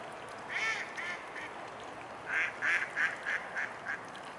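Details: Mute swan family recorded on 15 September 2015 at 19:05: two bursts of short, nasal, honking notes near the same pitch, three then about six, spaced roughly a third of a second apart over a steady background hiss.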